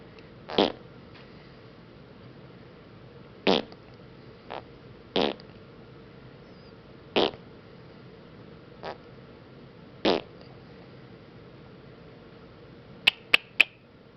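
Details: Female pet sun conure indoors mimicking a fart noise: six or seven short broadband raspy bursts spaced one to three seconds apart, ending with three sharp clicking kiss sounds.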